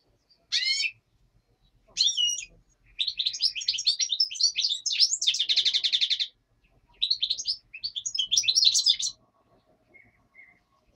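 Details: Black-headed goldfinch singing in the daytime, a common nightingale noted in the background; long bursts of fast, tinkling, twittering phrases with a dense buzzy trill in the middle, broken by short pauses and a few soft closing chirps.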